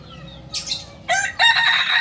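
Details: Kokok Balenggek rooster of Solok, West Sumatra, known for multi-level crowing; short bright harmonic crow bursts in three separate steps, the last and loudest held briefly.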